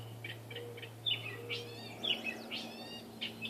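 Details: In a backyard in Saskatoon, north of its usual range, a Gray Catbird hidden in trees sings a jumble of short squeaky, mewing and chattering notes, each phrase different, about one per second, over a steady low mechanical hum.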